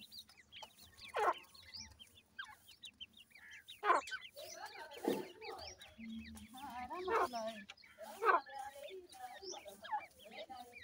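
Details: Black francolin chicks, several together, giving many short high peeping chirps in quick scattered bursts, with a few louder lower clucks and some background voices.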